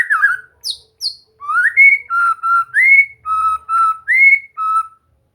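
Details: White-rumped shama song played to encourage a bird to sing: slurred whistle, two high piercing notes, then alternating upswept and level flute-like whistles in a measured rhythm.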